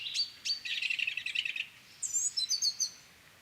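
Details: A song thrush sings, repeating a short, high, sharp phrase about four times in quick succession. A chaffinch sings alongside with a rapid chattering trill.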